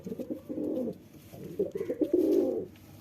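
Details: A male pigeon courting a female to impress her gives low, throaty rolling coos in two swelling bursts, a soft burbling rhythm; the setting sounds indoor and quiet.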